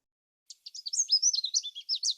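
A Canada Warbler sings a quick, high jumble of about a dozen clear, smoothly slurred notes, each section different, over less than two seconds with no other sounds.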